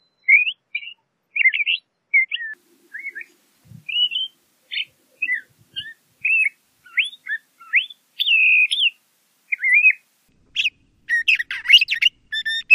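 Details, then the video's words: LeConte's thrasher song of scattered, thin whistled notes and brief slurs, spaced irregularly, ending in a thicker stretch of rapid buzzy and rattling notes, with no other sounds. "LeConte's Thrasher Bird Singing, Calling, Chirping - Cuitlacoche Pálido Canto"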